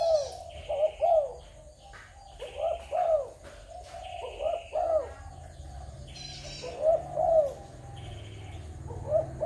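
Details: Spotted doves of Malaysian, Thai and Cambodian origin, 21 November 2022: spaced pairs of arching coos every two seconds or so, mixed with sharp clicks, short chirps and a high tonal sound.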